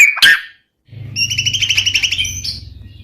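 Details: White-rumped shama in song, meant to provoke silent males: a loud harsh note, a short silence, then a rapid buzzy rattle over a steady low hum, closing with a high whistle.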